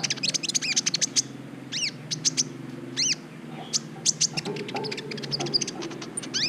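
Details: Green-type brown-throated sunbird recorded to teach other birds and stir their mating urge: quick strings of piercing chips and repeated downward-arching whistles, with background hum and soft low noise.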